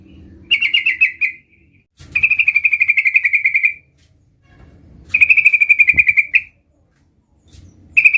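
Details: Young sooty-headed bulbul learning its rolling song, giving steady even trills of rapidly repeated notes lasting one to two seconds, separated by pauses, with a faint click in between.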